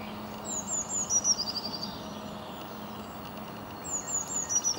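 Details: A European robin sings in winter in London, giving two short phrases of thin, high, sliding notes that fall in pitch, with a pause between them, over a low urban hum.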